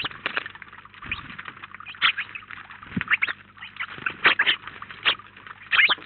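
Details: A flock of house sparrows, up to 19 at once at a feeder in Collado Villalba, chirps in a busy, overlapping chatter of many short bright notes running continuously, with a faint low hum beneath.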